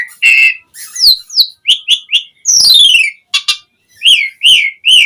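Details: Lure song of an Asian pied starling, meant to make other starlings reply: warbled whistles, sharp downslurred notes, a long descending harmonic whistle and a series of arched chirps.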